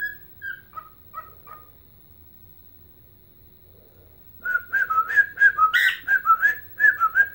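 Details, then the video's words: Pet bird whistling its rendition of the Blackhawks anthem Chelsea Dagger while dancing: four falling whistled notes, a pause, then a fast, wavering string of pure whistles in a small indoor space. "Singing and Dancing Ike Bird"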